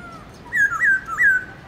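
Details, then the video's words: A Black-throated Laughingthrush (Garrulax chinensis), a kept songbird in morning song used to stir other laughingthrushes, gives three clear, slurred whistles in quick succession, each dipping then rising, against a quiet background. "Khướu bạc má HÓT GIỌNG RỪNG- LUYẾN NHIỀU ÂM"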